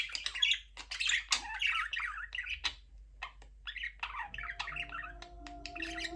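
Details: Budgerigars kept in a cage give a run of grating squawks and twittering warbles, loud at first, then quieter chatter with clicks, while a faint sustained low tone enters in the last two seconds.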